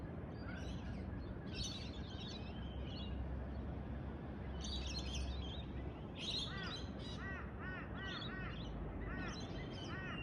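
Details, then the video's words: Birds calling before sunrise in Australia: bursts of high, chirpy twittering, then a run of short, clear, downslurred notes repeated about twice a second, over a steady low rumble. "Pre sunrise bird calls"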